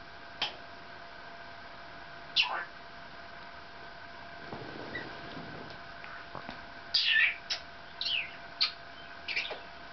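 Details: Pet Maximilian's pionus, said to be working on a new song, gives scattered short scratchy chirps, then a cluster of four or five quick raspy notes near the end, indoors.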